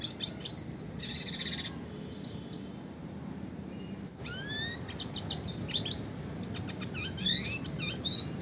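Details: Classic red siskin song used as a tutor for training songbirds: bursts of high, rapid chirps and trills, sharp rising and falling whistled sweeps, and buzzy rattles, delivered in irregular phrases separated by short pauses, with a soft low hum beneath.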